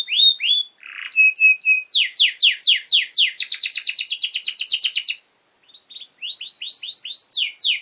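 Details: Canary song for tutoring young birds: slurred notes and steady whistles, loud repeated downward sweeps, a rapid dense trill, a pause, then renewed rising and falling phrases.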